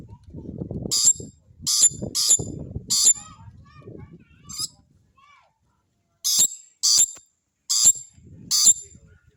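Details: Harsh, grating squawks from a rainbow lorikeet, brief bursts repeated roughly once a second in two loose runs, with a low murmur of background voices or rumble between the first calls.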